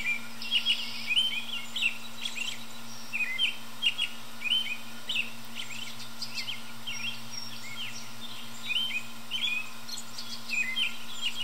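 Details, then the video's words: American robin singing high up in a tree early in the evening: a steady run of short, clear, warbled phrases repeated roughly twice a second, with faint higher chips in between and a constant low electrical hum behind. "American Robin High In A Tree Calling"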